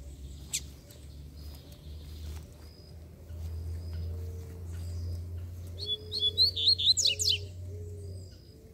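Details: An aggressive free-flying Double-collared Seedeater, seemingly calling for a fight near a caged bird and a yellowish female, gives a quick burst of high, bright, jumbled twittering notes near the end, over a low rumbling background with a man talking.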